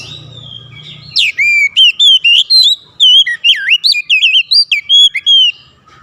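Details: Oriental magpie-robin delivering a lively run of sweet whistles, some swooping low and others rising sharply, in quick repeated notes over about four seconds.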